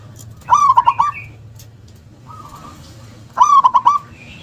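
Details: Two loud phrases of quick stammering coos ending in a held note, sung by a local zebra dove with a big, punchy 'KUNG' voice; a fainter dove phrase is heard between them.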